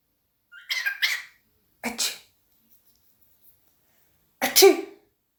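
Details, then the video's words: Pet cockatiel imitating its owner's sneezes and coughs: three short, breathy, explosive bursts, a quick double puff followed by single sharp snorts, separated by silence. "My Sneezing Cocakteil"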